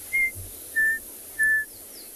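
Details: Chinspot Batis at Tswalu Kalahari Reserve, South Africa, on a 3 January sunrise game drive gives three clear, pure whistles, each lower than the last, like 'three blind mice', over a faint low rumble.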